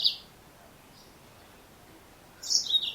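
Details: Female Yellow-fronted canary (Serinus mozambicus): one short high chip at the start, a pause, then a rapid burst of sharp, high twittering notes at the end.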